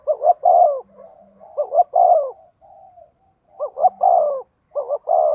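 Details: Decoy spotted dove calling: phrases of two quick short notes followed by a long, gently falling coo, repeated three times with short pauses; a faint low hum between phrases.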